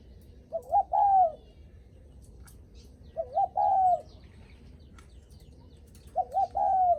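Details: Spotted dove giving its visitor-greeting coo: a quick wavering double note, then a drawn-out steady coo, three phrases spaced about three seconds apart over a low rumbling background.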